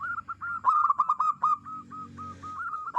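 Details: Local zebra dove singing clearly, kept as a lure bird for catching doves: an even run of short cooing notes, then a burst of quick clipped stuttering coos, ending in evenly spaced soft notes.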